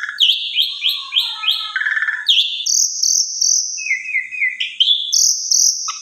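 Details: Asian pied starling singing a varied repertoire to goad a quiet bird into responding; a run of quick repeated upslurred notes, a rattling trill, then long high drawn-out whistles and a short low note.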